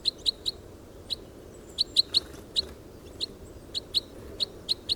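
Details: Red Crossbill recorded in the wild: short, sharp, high chip notes given singly or in quick pairs and triplets, repeated irregularly throughout, over quiet low background noise.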